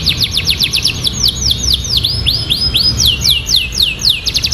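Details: Canary singing an isian song filled with ciblek-style phrases: a steady series of clear, downslurred whistled notes, about four per second, with softer chirps overlapping and a low rumble underneath.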